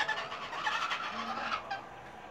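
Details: Pionus parrots (maitacas) in a noisy flock at a house in Santa Maria Madalena, Rio de Janeiro, 26 January 2014: a continuous racket of harsh, overlapping squawks and screeches with no pause; they were expected to stay all afternoon.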